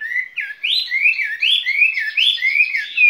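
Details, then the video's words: Caged skylark singing a lively spring song: a run of fluid, warbled whistles, each phrase rising and falling, delivered without pause at a clear, high pitch. "Chim quý ở lồng son ca bản tình ca mùa xuân"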